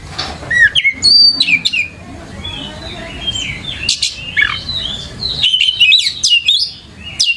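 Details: Oriental magpie-robin, recorded as lure for young birds to copy, delivering a long varied run of fluty whistles, descending slurs, chattering clicks and high sweeping notes in rapid succession against a steady low background hum.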